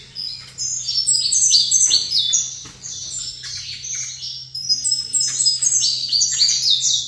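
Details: Brisk, shrill song of a captive saffron finch positioned facing a second bird, made of rapid chirps and brief slurred notes strung into long energetic phrases, steady faint hum underneath.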